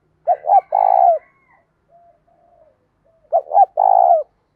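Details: Spotted dove of the 'giọng thổ' voice style giving a full morning cooing song to lure other doves: two short throaty coos then a long rolling coo, repeated twice with a quiet pause between.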